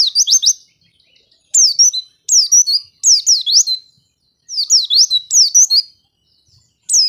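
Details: White-eye song used as a lure to prompt lazy white-eyes to sing: bursts of high, sharp, rapidly repeated chirps and down-slurred whistles, separated by short silent gaps.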